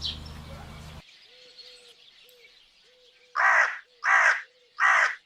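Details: Crow cawing: three loud harsh caws, each about half a second long and spaced under a second apart, after a quiet stretch with soft tonal bird notes and faint distant chirps in the background.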